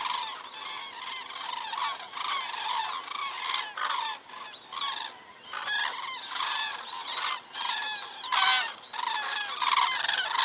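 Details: Common cranes passing overhead in Estonia on an autumn evening, 19 September 2017, caught by a crane camera: loud overlapping bugling and trumpeting calls from many birds, rising and falling in bursts, closer and clearer.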